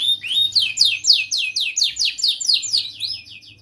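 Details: Song of a young canary, used as a tutor for young birds: quick rolling sequence of sharp descending whistled sweeps, about four per second, steady and loud throughout.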